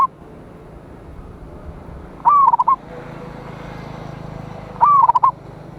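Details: Zebra dove of the local Indonesian type, a big-voiced singer used to draw rivals, recorded 26/1/25: two repeated cooing phrases about two and a half seconds apart, rising then stuttering, over low background hum.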